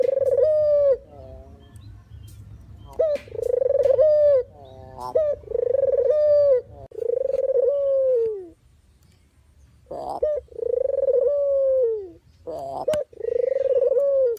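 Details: Barbary dove voice, an original recording for bird-trapping lures: repeated drawn-out low coos, each slightly falling at the end and opening with a brief hoarse burst. A quiet gap falls mid-way, over soft low background rumble.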